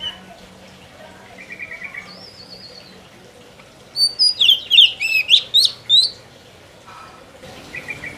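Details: Oriental magpie-robin song with faint early trills, then a loud burst of about eight quick, high, sweeping whistled notes in close succession, and softer trailing notes afterward.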